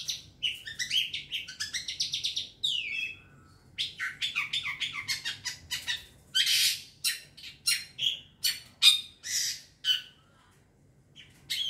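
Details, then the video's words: Young wild long-tailed shrike, a lure recording, giving a dense run of harsh, scratchy notes with some rising whistled slurs, then a pause followed by loud rasping bursts spaced about half a second apart. "Pancingan burung cendet muda hutan"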